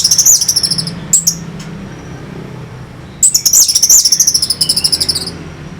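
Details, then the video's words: Orange-headed thrush song, played as a lure to stir fighting birds: bursts of very high, rapid, warbling notes with a brief pause, then a longer run of quick chattering phrases. "Pancingan SUara ANIS MERAH Pembangkit Figther Burung"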